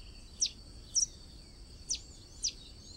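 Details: Blue-and-yellow Tanager (Rauenia bonariensis) giving four thin, high, squeaky chips at uneven intervals over a steady high insect hum.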